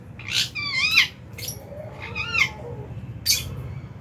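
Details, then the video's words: Lovebirds at January meal time in an aviary; whining chirps that swoop upward and downward, some drawn out and slurred, mixed with short raspy squawks at intervals. "Lovebird Chirping Sounds"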